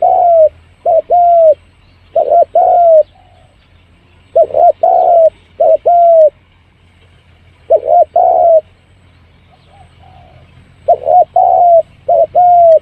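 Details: Spotted dove lure call: repeated cooing phrases in bursts, each a short paired coo then a longer falling coo, with pauses between groups and a fainter soft coo near the end, over low background hum.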